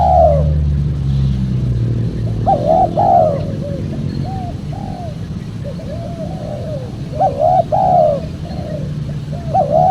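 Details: Cooing of a spotted dove, played to attract wild birds: a falling coo, then phrases of paired loud hoots with fainter descending notes. A deep humming rumble is heard at the start.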